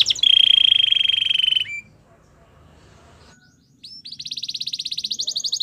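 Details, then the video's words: Belgian canary giving a training song for canaries: a loud steady rolling trill, a quiet pause, then a bright fast pulsing trill of rising notes. "Belgian canary singing"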